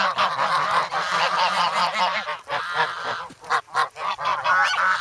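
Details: Noisy, hungry young adult geese in the snow at Sloterpark, Amsterdam, on February 3, mobbing a person with bread; camera recording. Loud harsh honks in quick overlapping series, pausing briefly in the second half before resuming.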